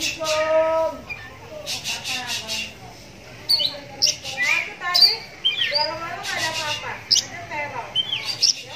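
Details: Oriental magpie-robin with a cataract-blinded right eye, kept since young and used as a lure, trades song with other magpie-robins. A steady whistled tone opens, then sharp high pips and rapid chattering phrases follow. Faint speech underneath.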